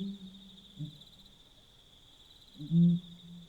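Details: Pel's fishing owl calling at night in Botswana: a faint deep hoot near the start, then one loud, deep, booming hoot with a humming tail. A steady high insect drone runs throughout.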